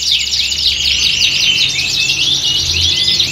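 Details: Canaries singing together as contest training for a competition bird. A short stretch of bright, overlapping trills and swooping whistles, steady and loud, above a faint low drone.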